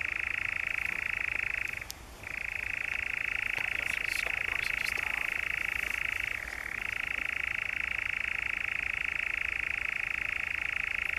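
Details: European nightjar churring in the Brecks, Norfolk, on 7 July 2017: a long, steady, dry mechanical trill, pausing briefly once and shifting slightly lower in pitch partway through.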